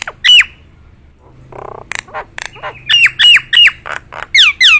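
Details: Nias hill myna delivering loud falling whistles in rapid bursts, with a low hum and some softer harsh notes in a quiet stretch midway.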